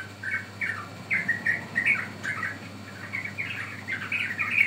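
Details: Young yellow-vented bulbul used as a training lure for caged birds; quick bright chirps and slurred whistles in short bursts about every half second, with a steady low hum behind.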